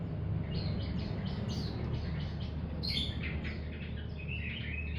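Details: Young untrained mountain white-eye, a hobby bird, producing a run of soft high twittering notes and buzzy chirps, busier toward the end, over constant low-pitched hum.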